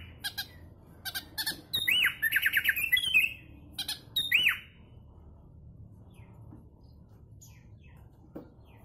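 A sooty-headed bulbul gives a quick burst of bubbling, warbled notes, then one clear rising-and-falling phrase, preceded by a few sharp ticks. The clip ends in near silence.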